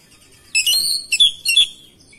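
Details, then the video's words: Oriental magpie-robin reacting to another singing magpie-robin. A brief, loud, piercing phrase of rich whistled notes, one drawn out and the others clipped, sounds over near silence. "KACER LAIN LANGSUNG RESPON IKUT GACOR NGOTOT BONGKAR ISIAN"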